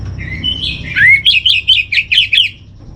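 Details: Orange-headed thrush master song for calming a kept bird: soft whistled notes give way to about eight sharp, ringing syllables repeated quickly in an even rhythm, with a faint low hum.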